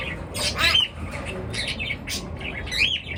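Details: Morning bird calls: harsh high squawks and a sharp upslurred chirp, heard in a few loud bursts over low background hum.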